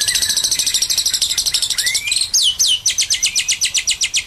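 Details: Lovebird in ngekek long chatter: a fast buzzy stream of high notes, interrupted by a few sweeping whistled slides, then back to evenly spaced sharp chips about four per second.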